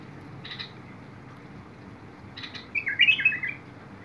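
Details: Bulbul singing, recorded 21 August 2022: two faint short notes, then a loud, rich warbled phrase of quick rising and falling notes lasting under a second near the end, over a quiet background.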